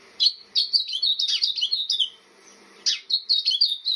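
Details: House finch giving a rapid warbled run of chirpy, slurred notes for about a second and a half, then a pause before another lively burst of bright twittering.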